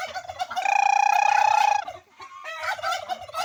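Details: Turkey calling: a loud, steady, buzzy note held for about a second, followed after a brief dip by rough, rapid burbling bursts.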